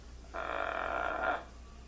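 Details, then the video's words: Pet blue-and-gold macaw mimicking human crying and speech. A single drawn-out, nasal, evenly held wail lasts about one second, then falls silent. "Funny macaw says "whats up" "hello" !!! and even act like crying"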